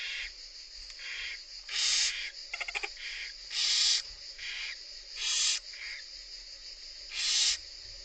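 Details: Barn owl chicks in the nest begging from their feeding mother, overlapping harsh hisses of varying loudness roughly every second, with a brief rapid clicking rattle near the middle.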